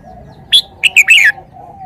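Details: Red-whiskered bulbul with one crisp phrase: a single bright whistle, then three quick, slurred notes ending in a falling flourish. The song is clear over a faint low hum.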